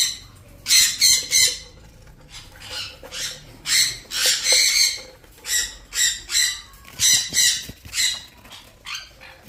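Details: Ring-necked parrots giving raw, harsh squawks: loud rasping bursts in quick clusters of two or three, repeated through the clip with brief quiet gaps.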